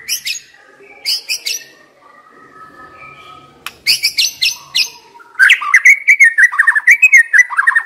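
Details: White-rumped shama used as a caged decoy, giving clusters of sharp high chips, a soft low whistle, then a rapid run of loud, varied whistled and warbling notes.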